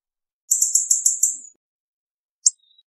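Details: Hawfinch delivering a fast, rattling string of six high, buzzy notes in under a second, followed after a pause by one sharp tick.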